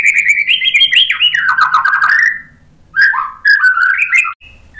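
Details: Lure song of a white-rumped shama, meant to stir rival shamas to respond: loud fluty whistled phrases stepping up and down, a run of sliding notes, a short silence, then further bright warbled phrases.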